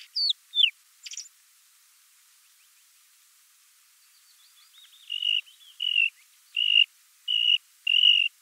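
A Bluethroat sings a few sharp, falling whistles and a buzzy note, then after a pause five ringing, metallic notes at a steady pace of under a second apart.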